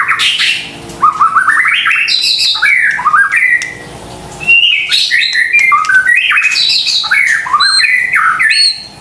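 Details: White-rumped shama song used to trigger a silent or stressed caged bird: long varied phrases of rising stepped whistles, harsh notes and chatter, with a short pause midway.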